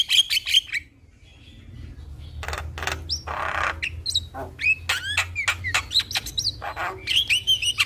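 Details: Javan myna lure song to make a quiet starling sing. A brief burst of whistles, then a pause, a raspy noisy stretch and a rising series of slurred whistles and quick chirps.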